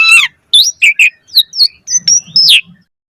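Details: Lure recording of an Asian pied starling singing a rich isian-filled song: a harsh buzzy squawk opens, then a string of clear slurred whistles and high bright notes separated by short pauses.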